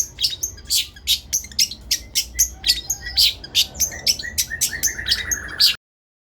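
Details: Masteran song from a long-tailed shrike: evenly spaced harsh, scratchy chips, roughly three a second, with a faint rising twitter near the end, over a low humming background, then silence.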